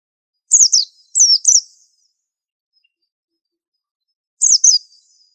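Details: White-eye, a very unusual bird with a unique training song: three short groups of high, thin, down-slurred chirps in the first second and a half, a long pause, then another rapid cluster. No background noise.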